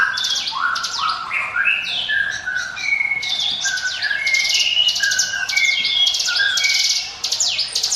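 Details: Song of a bar-winged prinia in the 'ngiwit wit' style, meant as a lure for other birds: falling whistles, then a dense, nonstop run of high chirps and short level whistles.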